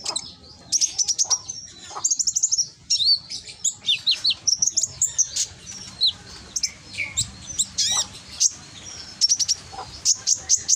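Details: Scarlet-headed flowerpecker lure recording from Gresik, East Java, loud and clear to goad silent birds into reply: long run of rapid, very high ticking chirps in repeated bursts of four to six notes, with brief rising whistles.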